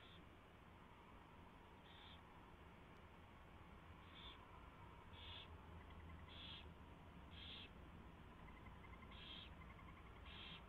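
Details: Owls at the nest at 4:21 AM on 24 February 2016, during a mouse delivery and feeding; short raspy hissing bursts repeat roughly once a second over a steady low hum, with faint rapid ticking between them.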